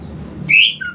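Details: Greater green leafbird, a lure recording meant to prompt a silent bird to sing: a single loud rising whistled note, then a brief lower whistle, over faint low background hum.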